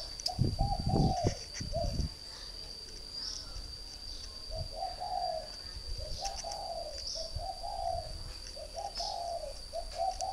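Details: Three-year decoy spotted dove in a cage, northern Vietnam, cooing in a run of short warbled phrases, with low thumps and knocks at the start and a steady high-pitched whine.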